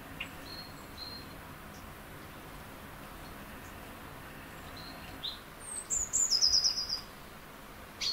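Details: A Eurasian blue tit in a spring forest and garden in early April, preparing a nest in a tree hollow and loudly announcing its territory from a branch: thin, very high notes, then about seven sharp, slightly falling notes over a soft hiss.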